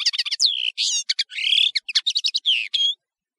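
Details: European serin, locally nino or kamatcho, giving a quick, high-pitched song of glassy twitters, drawn-out buzzy slurs, and falling whistled notes, all packed into about three seconds.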